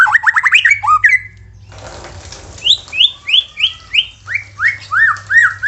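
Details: White-rumped shama song played to coax shamas into singing: a fast burst of rising whistled notes, a brief noisy rasp, then a steady series of bright upslurred whistles about three per second.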